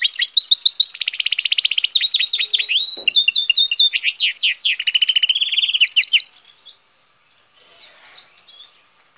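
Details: Loud, energetic goldfinch hybrid song made of rapid rattled trills and repeated sweeping notes for about six seconds. It breaks off abruptly, and faint twittering follows.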